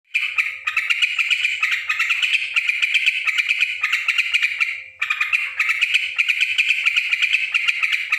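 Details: Yellow-vented bulbul calling noisily: a dense, harsh, rapid chatter of scratchy notes that runs almost without pause, with one brief break around the fifth second, over a faint steady low hum.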